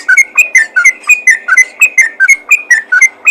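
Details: Lively rapid calling of a yellow-vented bulbul summoning other bulbuls: a steady stream of clear, bubbly whistled notes, several per second, each sharply slurred up or down.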